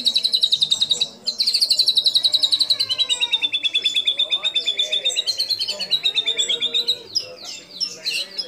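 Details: White-rumped shama, used for training other birds, singing mimicry of kapas tembak, cililin, lovebird and canary; a rapid, high, buzzy trill that falls slightly, pauses, restarts and ends in separate sharp chirps.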